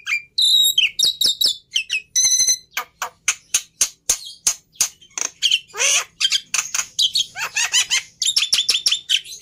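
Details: Black-winged myna, a white starling, singing a loud varied sequence of harsh squawks, rapid clicks and buzzy notes, with a few rising whistles mixed in among the grating bursts.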